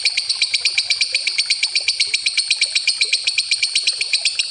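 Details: Lovebird ngekek, a long trill played as a lure, heard as an even, rapid series of shrill, clicking pulses, about four each second, held steadily throughout without a break.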